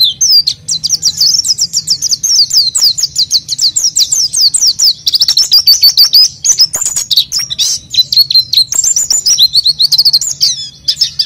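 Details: Oriental white-eye in long gacor song, a lure for raw birds: eleven seconds of regular, rapid, thin down-slurred notes in steady series, shifting pitch slightly in later phrases.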